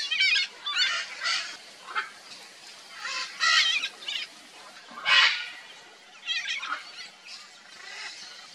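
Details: Red-and-green macaws at their nest, harsh raspy squawks spaced every second or so, partly softer and distant, over a faint background hiss.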